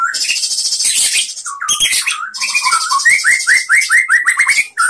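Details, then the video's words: Master song of a white-rumped shama for training other shamas: loud buzzy chatter followed by a run of rapid rising whistled notes repeated about every fifth of a second. "SUARA MURAI BATU bikin GACOR BONGKAR ISIAN ¦ MASTERAN MURAI ¦ SHAMA BIRD"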